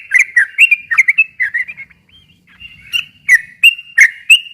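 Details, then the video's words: Sooty-headed bulbul song for coaxing a silent bird into singing: quick tumbling whistled notes, a short lull near two seconds with a faint thin whistle, then spaced sharp bright notes resume. "kicau suara trucukan gacor ropel panjang ini ampuh buat pancingan trucuk macet agar nyaut bunyi lagi"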